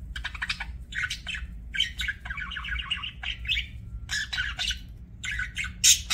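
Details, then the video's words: Pet budgie chatter in short clustered bursts of buzzy, rapidly wavering notes and bright chirps, with a long warbled phrase in the middle and a low background hum. "BUDGIE CHIRPING SOUNDS"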